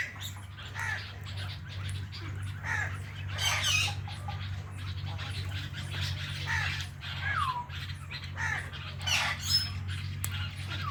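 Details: Pet Indian ringneck parrots, one a blue ringneck, calling in scattered squawks and a few falling whistled notes, fairly soft, over a loud continuous low electrical hum.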